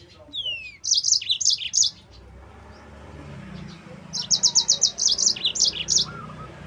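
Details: Yellow-fronted canary song used as a lure and trainer for other canaries, two bursts of rapid high chirps and trills separated by a quiet pause, with a falling whistled note at the start.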